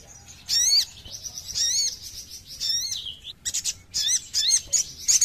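A crimson sunbird sings thin, very high, sweeping twitters in quick bursts about once a second, mixed with sharp chips and rapid trills.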